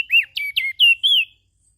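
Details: Five clear, high whistled notes from an ashy prinia, the first rising then dropping, the rest short slurred whistles, in a quick burst of just over a second on a silent background.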